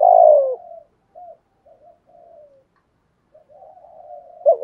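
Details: Spotted dove (cu gáy) in a lure-style recording mixing bow-coos and calling coos. One loud, low, throaty coo opens the recording, then softer drawn-out murmured coos trail off with pauses between them.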